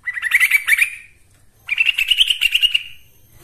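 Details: Lure song of the yellow-vented bulbul (trucuk) for training other birds, delivered as two lively, gurgling bursts of quick repeated notes, the second phrase longer and slightly higher.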